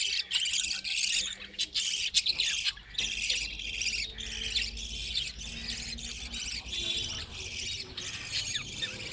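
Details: Breeding budgerigars in a colony hut chatter together in a steady, dense stream of raspy chirps and squawky notes, with a low background hum throughout.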